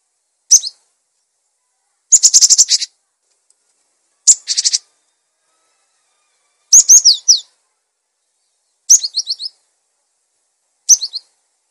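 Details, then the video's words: High piercing notes and repeated whistle triplets from a cinereous tit, interspersed with two harsh buzzy rattling bursts, phrases spaced about two seconds apart; a recording for masteran and prompting other birds. "Gelatik Batu Gacor! Untuk masteran dan pancingan Burung"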